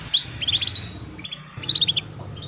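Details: Female canary chirping to encourage young canaries to sing; a sharp opening chirp, then two bursts of quick repeated high twitters separated by a short quieter gap.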